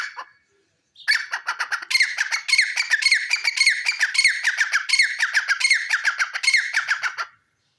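A grey francolin gives a loud, harsh series of rapid, scratchy notes, run together in quick repeated phrases for about six seconds.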